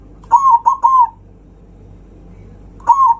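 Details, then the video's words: Zebra dove with a loud, rival-provoking song: a quick run of three bell-like cooing notes, the last drawn out, then after a pause another note begins. "Perkutut suara kencang, bikin lawan naik emosi"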